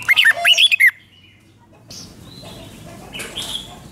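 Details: Thai Red-whiskered bulbul song in the doubled five-syllable style. A loud, rapid, bubbly phrase of several warbled notes fills the first second. Softer distant bird chirps follow over low background hiss.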